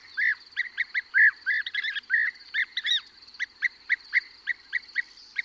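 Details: European bee-eater calling from a perch at close range while others call in flight: short rolling, throaty notes repeated about once a second in quick bursts, over a steady high twittering from larks and corn bunting behind.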